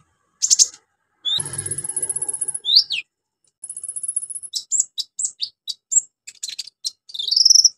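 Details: Orange-headed thrush song played to stimulate silent birds into singing: a varied, fast string of high whistles, sharp chips and long thin trilled phrases with brief mimicked-sounding notes, clean with little background.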